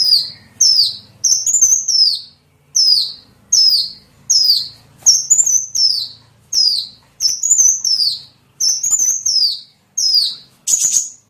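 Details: Small bird lure calls: a long, steady series of loud high downslurred whistles, roughly one per second, occasionally paired with a flat introductory note; quiet low hum behind.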